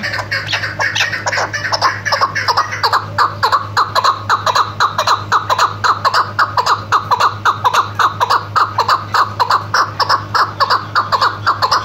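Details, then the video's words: A female chukar partridge gives a steady, rolling series of harsh clucking chuck notes, about two a second, over a faint low electrical hum. It is used as a hunting call. "chakor shikari awaz keklik sesi chakor hunting sound"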